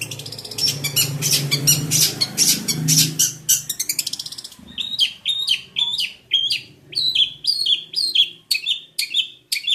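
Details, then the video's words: Jentet bird: a harsh, buzzy rattling passage first, then clearer high chirps with quick down-slurred whistled notes, repeated about twice a second. "Kicau mania burung Jentet bersuara.."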